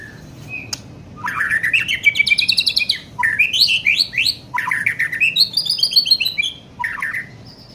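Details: White-rumped shama, young bird, delivering fast rising and falling trilled phrases, rapid stuttering notes rippling upward, separated by brief pauses, ending with a short whistle.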